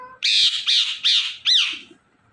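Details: Harsh, raspy screeches from an Indian ringneck parrot, four loud calls in close succession, the last one sharper and rising then falling, followed by quiet.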